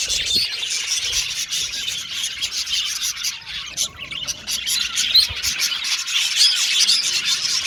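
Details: Several pet Australian budgies sing and chirp at once, giving rapid high chatter full of short clicks and ticks and a brief lull near four seconds.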